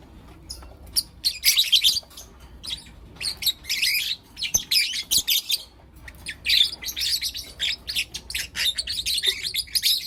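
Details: Young lutino lovebirds, four of them, calling in the morning: sparse single chips at first, then thick runs of shrill, rasping chirps and squeaky twitters, growing busier toward the end.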